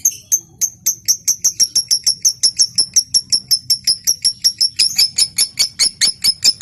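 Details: Lovebird chattering in ngekek style, offered as a prompt to get other lovebirds singing. Quick, evenly spaced, piercing high notes repeat without a break, growing slightly denser near the end.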